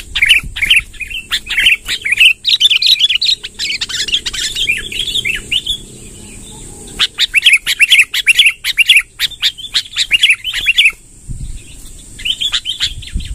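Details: Sooty-headed bulbul in energetic rolling song, used to gather wild bulbuls: long runs of bubbly chattering chirps mixed with sharp clicks, two extended bursts split by a quieter gap, over a continuous high hiss.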